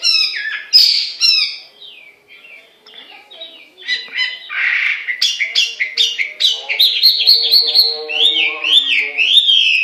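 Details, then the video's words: A Chinese hwamei (Garrulax canorus) sings a loud, varied run of rich whistles, harsh squawky notes and rapid rising-falling trills, mostly high-pitched, changing phrase every second or so. "Hwamei Bird Singing"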